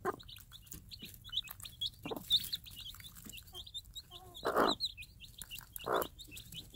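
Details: Free-range game hen calling her day-old Minorca cross chicks to food she drops; dense high chick peeping with several low, broad clucks spaced about a second or more apart.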